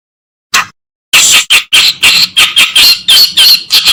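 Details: Master recording of reed warbler song for tutoring songbirds: a lone rasping note, then a dense run of loud, harsh, churring phrases, each chattering burst following closely on the last, with squeaky overtones.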